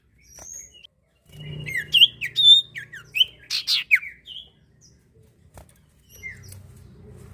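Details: Common iora song used to prompt other birds to sing: a dense burst of sharp chips and looping whistles over about three seconds, bracketed by quiet soft notes and low background hum.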